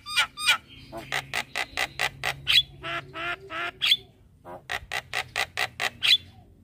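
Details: Javan myna lure song for morning training: repeated harsh squawks in steady runs with a few clear whistled accents, separated by a short pause midway.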